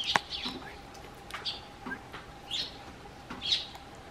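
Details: Eurasian tree sparrows hopping onto a garden bench as someone steps out of the house, calling out in greeting: short bright chirps scattered through four seconds, with a faint steady hum beneath.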